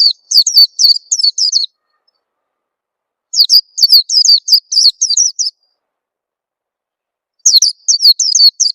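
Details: Lure recording of the Oriental white-eye for getting young birds to sing fast; three bursts of quick, high-pitched, descending chirps, five to eight notes each, separated by pauses of one to two seconds.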